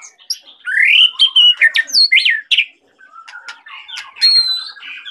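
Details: Vigorously singing white-rumped shama of the Medan type: a loud upward-swooping whistle, then separate sharp high notes and chips, followed by a softer, rapid trilling phrase.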